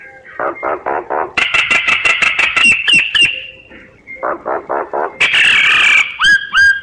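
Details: Myna decoy calls for bird survey work: steady rhythmic rough pulses, a long harsh rattling burst with clicks, another pulsed series, then a loud rasp and two falling whistles.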